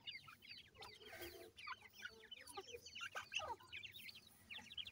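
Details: Grey francolin chicks, seven days old, feeding together: continuous high-pitched cheeping from several birds, quick slurred notes overlapping, broken by a few louder tapping and rustling sounds.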